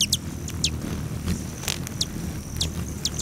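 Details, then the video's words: Hummingbirds at patio feeders beside Great Sand Dunes National Park, Colorado, on July 29; clear, sharp descending chips repeated roughly every half second, a faint high whine between them and a low rumble underneath. "Ten minutes of Hummingbirds"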